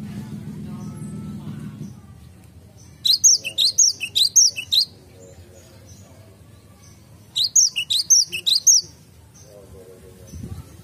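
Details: A cinereous tit in a garden gives two bursts of rapid, high, sharp whistled notes, about seven notes each, separated by a quiet pause of several seconds. Low rumbling sounds open and close the recording.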